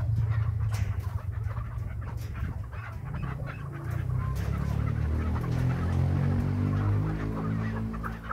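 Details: Chukar partridge kept by its owner in Krasnoyarsk, calling when urged on by him; a rapid run of low, throaty clucking notes that swells into a harmonic, rising chatter toward the end, indoors with some background noise.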